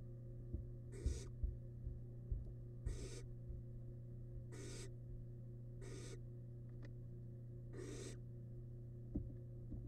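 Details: Nest box camera on a wild barn owl nestling feeding on a large rabbit remain. Five breathy, rasping hisses come roughly every two seconds, with a constant low hum and a few soft taps between them.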